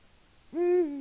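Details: Calling male Eurasian eagle-owl, Latvian live camera, 6 March 2019 around 18:06, seeking a mate without response: after near silence, a deep hoot begins abruptly and holds a steady low pitch, cut off before it ends.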